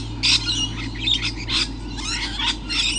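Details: Lorikeets in the morning, around 7:29, give a run of harsh, grating screeches, about two a second, overlapping at times, over a low steady hum.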